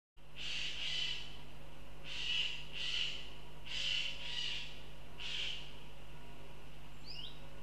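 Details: Northern goshawk calling in Riga, Latvia: harsh, hoarse, drawn-out cries in pairs and singles, about six across a few seconds, over a steady low hum, with a brief high chirp from a small bird at the end.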